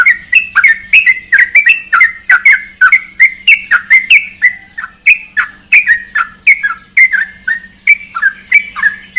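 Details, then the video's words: Trucukan (sooty-headed bulbul) recording used as a lure to get kept birds to sing again. A steady run of short bubbly, chirpy notes, roughly three per second, each dipping then rising, over a faint constant hum. "PANCINGAN TRUCUKAN MACET BUNYI"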